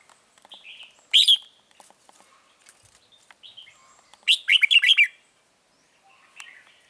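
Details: Red-whiskered bulbul used as a lure bird at a trap in Vietnam, recorded 9 March 2020: two bright bursts of rapid warbled notes, one brief near the start and a longer run of five quick phrases later, with quiet softer chirps between.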